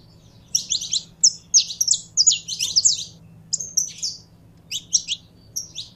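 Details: Saffron finch singing: bursts of sharp, high chirped notes in quick clusters, pausing briefly between phrases, over a faint low hum.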